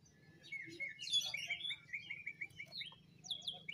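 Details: Greater green leafbird from Banyuwangi, ngentrok-style jamtrok lure song: a burst of high chatter, then a string of short clipped whistles, and a steady low hum underneath.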